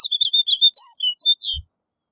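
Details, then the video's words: Snow bunting singing: a quick run of bright, high chirping and warbled notes, about nine short phrases in under two seconds, clear and close, ending abruptly with a faint low thump. "Snow Bunting Singing! Snow Bunting Calling! - Escribano Nival Canto"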